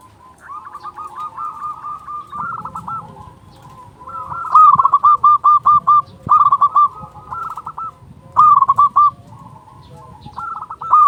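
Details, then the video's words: Several local zebra doves, recorded to lure doves and stimulate silent birds: soft drawn-out trills, then repeated loud phrases of quick, evenly spaced cooing notes roughly every second or two, with overlapping quieter coos. "Panggilan burung perkutut"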